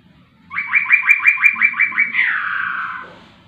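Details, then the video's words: Laughingthrush in lively song, delivering eight evenly spaced, upswept whistles in quick succession, then a long, smooth note sliding downward and fading out. Faint low rumble behind it. "poksay rowo super gacor"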